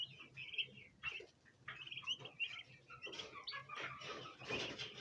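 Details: Domestic bronze turkey poults gather around a basin of ornamental plants, wanting to eat. High chirps come in short runs, and from the middle onward rustling, scratchy noise mixes in.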